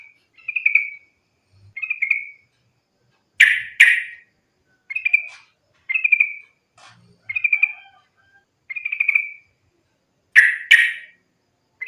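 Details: Yellow-vented bulbul fighting song for luring other bulbuls to sing: short bubbly gurgled phrases repeated roughly every second, broken twice by paired loud burry chirps.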